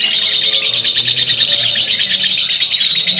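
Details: Lovebird giving a long chattering song used as training audio for caged birds: a dense, continuous stream of high rapid chirps and trills with steady pulsing, without pause throughout.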